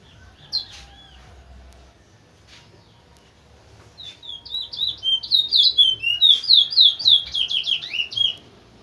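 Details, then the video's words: Large-billed seed finch (towa towa) from Linden, a teacher bird used to train other birds. After a few soft chips and a quiet stretch, it bursts into a fast series of sweeping whistled notes, rising and falling, about three or four per second. "Keon towa towa linden bird(Zeus) Very gd teacher bird make alot of birds"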